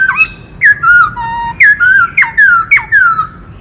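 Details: Singing White-cheeked laughingthrush from the forest, a many-voiced song to excite males: bright whistled phrases that start high, drop steeply and trail off in gliding slurs, each set off by a crisp click, in quick series.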